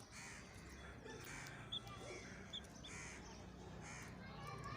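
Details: A captive hybrid quail gives its harsh, grating 'kirak' call about once a second over a low hum; the owner says this call can lure many quail in season, as hybrids are regarded as leaders among quail.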